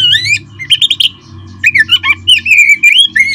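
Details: Oriental magpie-robin singing a fast, varied phrase used to rouse other kept birds to sing: rising whistled slurs, clusters of sharp chirps and smooth wavering whistles follow closely, with no pauses.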